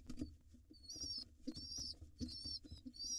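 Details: Wild rock pigeon chicks, hungry and being fed by their father, give a few stretched, quavering high squeals between soft taps and bumps.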